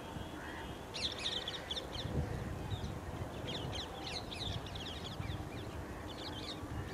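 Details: Rose-ringed parakeets, also called Indian Ringnecks, at ANGRAU in Hyderabad, Andhra Pradesh, India, in May 2012: harsh, shrill screeches in quick overlapping bursts from several birds, over a steady low rumble of background noise.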